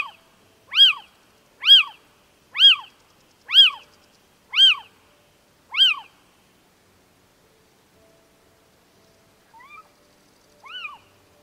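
A Little Owl gives six loud, rising-then-falling mewing calls about a second apart, followed by two fainter calls after a pause.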